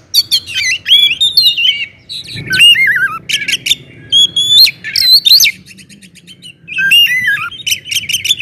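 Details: Oriental magpie-robin singing loudly to provoke others of its kind, with varied whistled phrases, sharp chips and a few harsh notes, separated by a short quiet spell.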